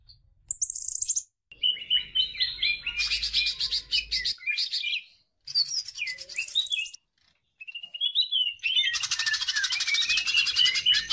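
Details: Greater green leafbird singing vigorously as a training lure for other birds: varied phrases split by short silences, high thin whistles, sliding notes and dense buzzy chatter bursts, shifting pattern every few seconds.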